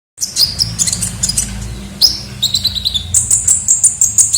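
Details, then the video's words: Kolibri ninja sunbird singing vigorously in a lure recording: sharp high chirps and short whistled notes. A run of bright, steady, high whistles follows after three seconds, with a faint low hum underneath. "pikat suara burung kolibri ninja gacor"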